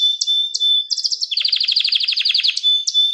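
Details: Canary kept at home singing a lesson-style song: a long piercing level whistle with spaced chips, breaking into a rapid stuttering trill of bright pulses, then returning to the steady whistle.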